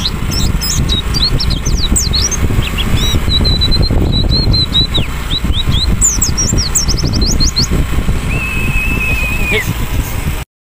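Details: A kept white-eye, in the morning, gives quick bursts of thin, high chirps and sweeping twitters, with one longer flat whistle near the end, over a steady low rumble.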